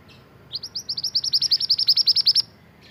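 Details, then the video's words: Mantenan, a bird native to Indonesia, singing energetically as a model for training caged songbirds. It gives a rapid, even trill of about seventeen bright, high chirping notes lasting nearly two seconds over a faint, quiet background. "BURUNG MANTENAN GACOR UNTUK MASTERAN"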